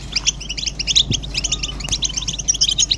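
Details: Several European goldfinches in a group twittering, described as mating and readiness calls used to stimulate males to sing. Dense, rapid high chirps and buzzy notes overlap continuously, with a faint low hum beneath.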